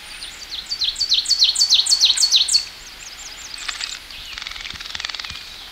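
An Ovenbird chants a loud, high series of about nine quick two-note phrases over three seconds, then fainter chips and buzzy notes from other birds follow.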